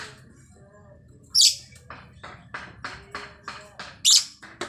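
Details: A single female lovebird gives two sharp, shrill squawks about two and a half seconds apart. Between them comes a rapid run of short, dry chirps, roughly three per second, with a faint low background rumble.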